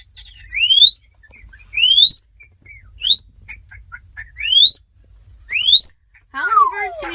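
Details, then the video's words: Fourteen African grey parrots travelling in a car to a ferry bound for Vancouver give clear rising whistles, about one a second, with soft chatter between and a long falling whistle at the end. "A car full of African Grey Parrots sound like this."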